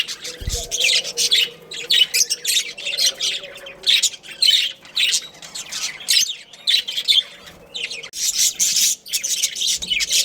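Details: A breeding pair of budgies chatters in uneven bursts of scratchy, high chirps and squawks separated by short quiet gaps, with a faint low hum underneath.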